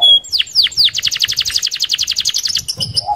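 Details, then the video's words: Canary in a fast rolling song used to lure other canaries: a few falling slurred notes, then a rapid run of high repeated syllables, about ten per second, ending in a buzzy note. "SUARA KENARI Gacor Roll Sped Mantap - Cocok Buat Pancingan Kenari Anda."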